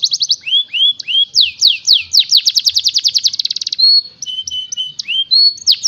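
A canary sings a rapid, varied song of sweeping whistles, fast trills and sharp chips, changing phrase every second or so.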